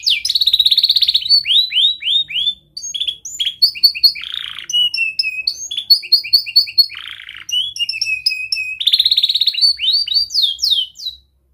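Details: Young canary singing vigorously as tutor song for young canaries learning to sing: rapid descending chirps, dense buzzy rolls and strings of high whistled notes, with two short pauses.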